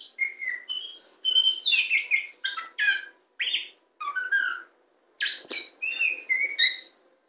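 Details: Oriental magpie-robin (kacer poci), a tame champion songbird, sings from a hand: lively mixed whistles, chirps and buzzy notes in short bursts separated by brief silences.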